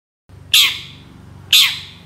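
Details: Two loud, rasping, downward-sliding screeches about a second apart from a long-tailed shrike, a voice used as a lure so other shrikes call back; a soft low rumble runs under them.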